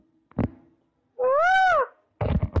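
A single loud, nasal wail from a peacock that rises and then falls over under a second. Bumps and rustling handling noise come just before and after.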